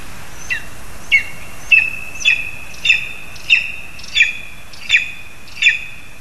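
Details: Lesser spotted eagle calling from a spruce in Zemgale, Latvia, while a frog is delivered to the young: about nine squealing high yelps, each ending in a held whistle, repeated every half to three-quarters of a second over background noise.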